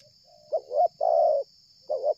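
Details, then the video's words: Spotted dove, cooing hard and nonstop while drawing closer from a distance during luring, gives a quick double note then a drawn-out mellow coo and begins another phrase, with a thin constant high tone behind. "tekukur ini kuat nguku dari jauh mendekat nguku takberhenti"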